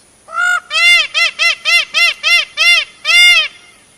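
Indian peafowl giving a rapid run of about eight loud, nasal, honking notes, each arching up and down, roughly three per second, with nothing else heard.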